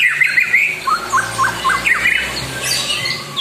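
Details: White-rumped shama lure song meant to anger a rival: a run of repeated short upward-flicking whistled notes, several in quick series, followed by higher twittering phrases.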